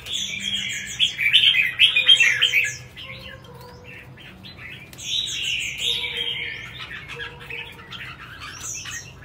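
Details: Red-whiskered bulbul in competition singing: bursts of warbled, slurred phrases with chirpy high notes, a quieter stretch of scattered chips between two louder song bursts.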